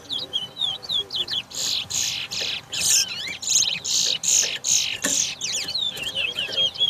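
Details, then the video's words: Large-billed Seed Finch (towa towa) in a 2022 bird race at Guyana's National Stadium bird ground, giving a rapid run of harsh buzzy bursts, about one per half second, framed by looping whistled phrases, with crowd murmur and music. "TOWA TOWA BIRD RACE"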